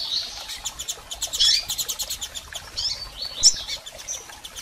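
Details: Female and male double-collared seedeaters calling to stir up a male: steady high ticking, roughly thirty pulses a minute, broken by thin squeaky chirps, one loud sharp note near three and a half seconds.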